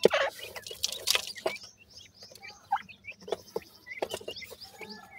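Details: Growing grey francolin chicks make thin high chirps and short whistled peeps, first in a busy cluster with scratching noises, then spaced out over a faint low hum.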